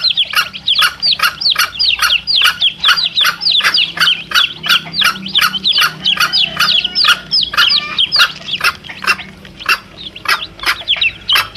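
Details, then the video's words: Chicks and mother hen, recorded to attract wild male junglefowl: a dense, rapid stream of high, arching chirps from several chicks, overlapping and almost continuous, punctuated by short sharp broadband pulses and a faint low background rumble. "SUARA ANAK AYAM DAN INDUK NYA"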